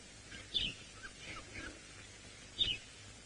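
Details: At sunrise on 13 April 2018 in Djuma Game Reserve, Sabi Sand, South Africa, a sparrow calls from nearby at dawn, giving two short, high chirps about two seconds apart with fainter twitters between, over steady hiss.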